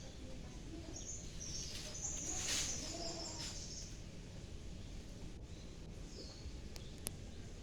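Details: Prinia in an aviary while eating nectar gives thin, very high chattering notes in a quick run over about two seconds, against a steady low rumble and a few sharp clicks.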